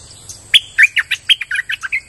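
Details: Streak-eared bulbul giving a rapid phrase of about ten sharp, liquid chirps in quick succession, clear and close.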